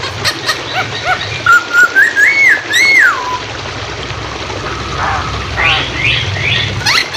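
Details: Hwamei song for training songbirds, over running water: a set of clear whistles climbing upward in steps, ending in a loud falling slur. Scattered chirps follow.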